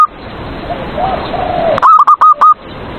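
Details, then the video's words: Caged zebra dove song, a provocation for rival doves and morning therapy: faint low sounds under hiss, then four sharp, short cooing notes delivered rapidly. "PERKUTUT SUARA PANCINGAN EMOSI LAWAN BIKIN MANGGUNG"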